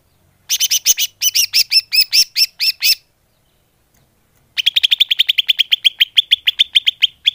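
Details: Greater green leafbird lure call, used to attract birds: a burst of about ten sharp, repeated chirps, a silent pause, then a faster, steady run of some twenty clipped notes.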